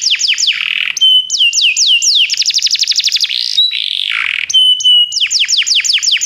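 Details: Singing canary used to prompt a pet bird to sing. Sweeping downslurred whistles lead into a fast rattling trill and a buzzy rolled passage, then return to swooping notes.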